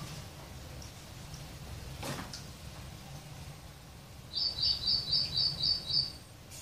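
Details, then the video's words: Sparrows visiting a water and food feeder at a home. After quiet background noise, a bird gives a run of about seven evenly spaced, high, bright chirps in quick succession near the end. "save sparrow birds, lovely birds enjoying water and food feeder in my home"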